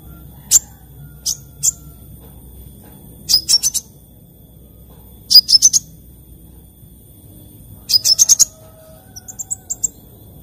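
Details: Sunbird singing in the morning: short high, thin chirps, some given in quick clusters of three or four, spaced by brief pauses over a quiet background.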